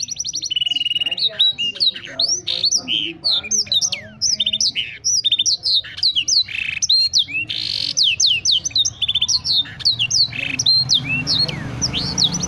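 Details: Canary in Wiradesa, Pekalongan, with song learned from a blackthroat; long continuous high-pitched medley of rapid whistled sweeps, chattering trills and sharp repeated notes, loud and almost without pause, with faint low hum behind.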